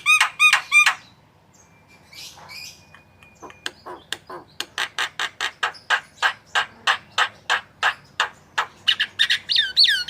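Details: Javan myna singing loudly on a training recording for cage birds: a brief burst of ringing harmonic notes, then a long, steady series of sharp clicking pulses that speed up, ending in swooping whistles.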